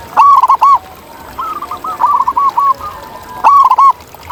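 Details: Local zebra doves in nature: a loud rippling coo phrase, a softer extended run of notes from another dove, then a second loud phrase about three seconds after the first.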